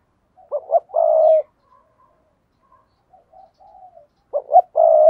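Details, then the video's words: Two loud spotted dove coo phrases, the luring "thúc bổi" call for wild doves. Each is a pair of short throaty notes then a drawn-out low hoot, with soft murmured coos in the gap between them. "tiếng cu gáy thúc bổi"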